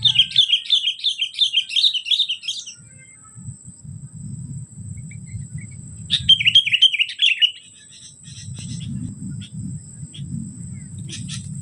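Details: Sooty-headed bulbul calling at a bird-trapping spot: a rapid burst of repeated chirpy, bouncing notes for about two and a half seconds, then a shorter burst near six seconds, over a low rumbling background and a steady thin high whine.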